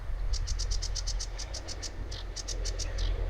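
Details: A sedge warbler sings from a small bush by a fishing lake at a campsite in France, a fast, high, scratchy run of repeated chattering notes, pausing briefly before carrying on, over a low rumble of wind.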